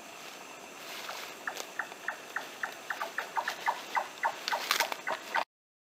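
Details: An undescribed Timor Nightjar on Wetar, vocally distinct from Large-tailed Nightjar, gives a rapid series of short, knocking notes, about four per second and quickening slightly, over a steady background hiss.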